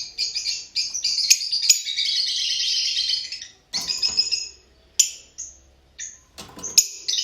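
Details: Fischer's lovebirds chattering in a dense, high-pitched stream of squeaky notes and sharp chirps, giving way to separated shrill peeps with short silences between.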